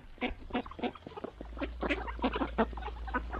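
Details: Mallard ducks during morning feeding, rapid overlapping nasal quacks and chuckles from several birds, with a steady low hum starting partway through.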